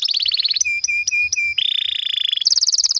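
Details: Canary singing long rolling trills, used as a lure recording to get pet canaries singing: a high buzzy trill, a series of steady mid whistles, then a rapid lower roll rising into a fast high trill.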